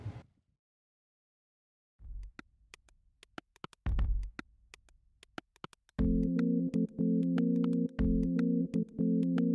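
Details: Electronic keyboard music with sharp clicks and pulsing low synthesizer tones after a stretch of near silence; no animal voices are heard.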